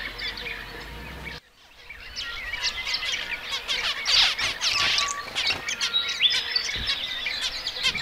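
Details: A group of zebra finches chattering: after a brief break, dense overlapping nasal beeps, short trills and buzzy squeaks build in intensity, with a few clear tonal notes among them.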